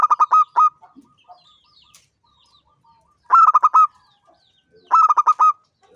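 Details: Local zebra dove, a champion perkutut singing freely in ngancing style: three bursts of rapid, pulsed cooing notes, each closing on a sustained tone, with a quieter dove cooing steadily in the background between phrases.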